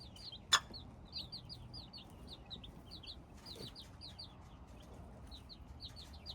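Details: Hybrid chicken chicks cheeping in bright, high, down-slurred peeps that come in quick clusters with short pauses. A loud click sounds near the start, and there is faint low rumble.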